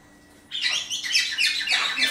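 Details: Morning calling from a pet parrot with a bandaged broken wing, kept indoors: after half a second of quiet, a continuous stream of harsh, raspy chattering squawks.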